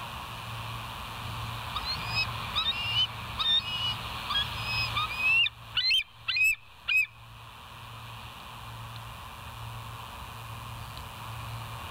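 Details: West End bald eagles, live nature cam, 19 September 2023, 06:52 morning: soft high whistled chatter, then four loud, piercing, rising-falling squeals in quick series before fading into low hum.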